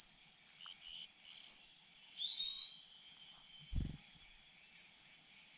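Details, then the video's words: Cuckoo begging as food is stuffed into its throat: long, high, hissing buzzes, then a brief rising whistle, a short low thud and a few clipped buzzy bursts. "The cuckoo is too greedy and still wants food in its mouth杜鹃鸟太贪心了，食物送到嘴里还想要，塞进喉咙里才下咽"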